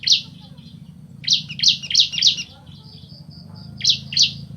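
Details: Male and female bar-winged prinias calling back and forth, short piercing high chirps in loose clusters of two or three, separated by brief pauses, over a constant low electrical-sounding hum.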